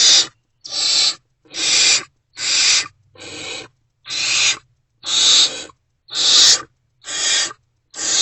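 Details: At a barn owl nest box in the early morning hours of 28 February 2024, during food deliveries, a run of ten harsh, breathy screeching hisses, each under half a second, spaced just under a second apart.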